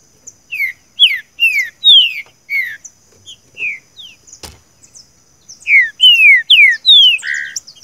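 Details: Green-winged saltator (Saltator similis) singing the "seu chico" song type, offered as training audio: loud, clear whistled notes that slide downward, about two per second, with one sharp click midway.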